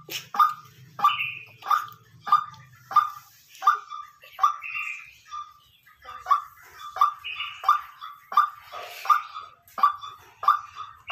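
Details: White-breasted waterhen kept as a decoy, calling naturally: a long run of about sixteen harsh, mid-pitched repeated notes, briefly pausing midway, with occasional higher buzzy overlapping notes and a low hum early on.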